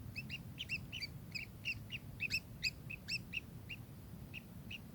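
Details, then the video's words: Kingfisher calls: loud, clipped chirps in quick runs that thin out toward the end, over a faint low rumble. "burung tengkek"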